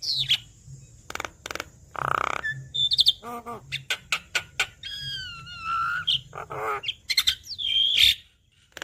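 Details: Javan myna song used to stimulate a bird that is reluctant to sing: a mix of clicks, nasal honks, stuttered notes and descending whistles, with harsh rasps, over a low background hum.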